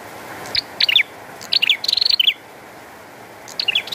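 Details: Bar-winged prinia calling busily during rain: bursts of quick, sharp, high chirps, including a rapid run of about eight notes, over a constant hiss of falling rain.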